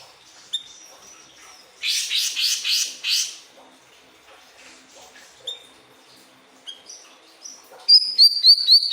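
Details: Pied triller song played as tutoring material for pet birds. Scattered thin whistles lead into a burst of coarse, rapid trilled notes. Quieter whistles follow, then a bright, fast series of high upslurred notes.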